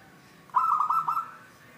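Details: Zebra dove, local wild perkutut of the 'Cristal tembus' style, delivering a single rolling coo: a quick run of bubbling, clear notes stretched into a steady trailing tone, over quiet background.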